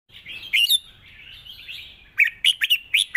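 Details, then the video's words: Red-whiskered bulbul singing a long-style song, soft-voiced with added chatter in a wild-style phrasing: a quiet warbled run, then a burst of five loud, sharp whistled notes repeated quickly near the end. "เพลงยาว ปากเบา ร้อง+ริก /สำนวนป่าๆ"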